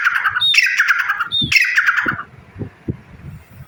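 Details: Grey partridge giving a harsh, grating, squawky call, two rasping bursts about a second apart with a brief whistled upslur at the start of each, followed by low thumping and handling noises.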